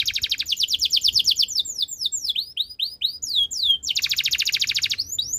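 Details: Canary in full song: a dense, rapid trill, then looping whistled notes rising and falling, returning to another fast rolling trill and ending in sweeps.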